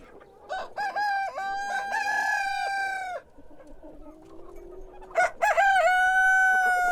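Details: Rooster crowing in the morning, one full crow with a stepped start and level held note, a quieter low murmuring gap, then a second crow beginning strongly near the end.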